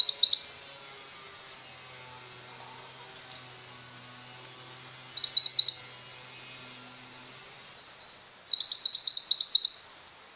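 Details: Lively female mountain white-eye song, meant for tutoring pet white-eyes: loud high twittering bursts separated by quiet gaps with scattered single high notes and softer rapid trills.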